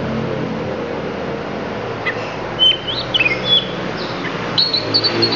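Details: Lampung oriental magpie-robin delivering isian filler phrases: a few sharp, high whistled notes and quick slurred chirps arriving after a quiet start, over a steady low hum.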